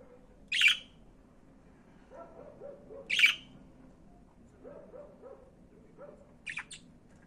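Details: Budgerigar giving two loud, rough squawks about two and a half seconds apart, with soft low chattering notes between them and a pair of thin, high chirps near the end.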